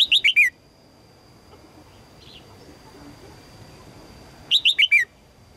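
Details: A female red-whiskered bulbul calls to draw in a strong male. She gives a rapid phrase of four short, falling whistled chirps, then a quiet pause and a matching four-note phrase. A thin constant high tone sounds in the background.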